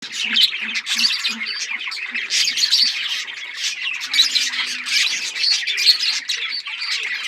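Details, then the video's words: Australian parrots, a noisy flock chattering together with dense overlapping chirps and squawks that run continuously with no pause. "Australian parrots chirping sound"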